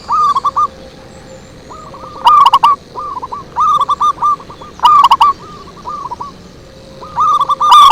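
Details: Lure song of zebra doves: nearly continuous chattering coos, loud close phrases of rapid clipped notes mixed with several fainter doves answering, creating a busy back-and-forth chorus.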